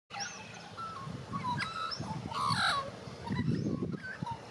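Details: White-backed Australian magpie, a native Australian bird, singing and warbling: a string of clear fluted whistles and slurred rising and falling notes, with a steady low rumbling background throughout.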